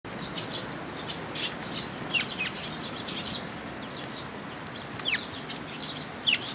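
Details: Several sparrows coming to a post at a Tenmangu shrine to be fed, 8 June 2022: scattered short, high chirps, a few sharp downslurred notes, over steady background hiss.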